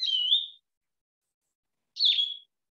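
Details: In a maritime forest of live oaks and Spanish moss in the Low Country, a Blue-headed Vireo sings two short, sweet, slurred, slightly falling whistled phrases about two seconds apart, rendered "Here I am. Where are you?"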